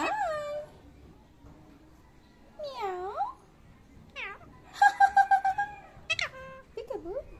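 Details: Talking Indian ringneck parakeet kept as a pet, saying "thank you": clear harmonic phrases swooping up and down, a quick rattling series of short pulses midway, then more brief wavering notes.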